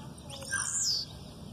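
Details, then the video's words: Blue-black grassquit, aggressive song with female calls in the background: a single high, thin, buzzy note sliding downward, lasting under half a second, over a quiet background. "Tiziu canto agressivo com piado de fêmea no fundo"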